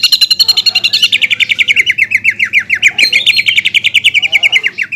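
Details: Caged greater green leafbird, a competition-class fighter trained as a master tutor, singing a loud rapid series of sharp chirps, about 214 notes a minute, in two fast descending trills, with harsh 'shooting' notes and rich mimicked phrases.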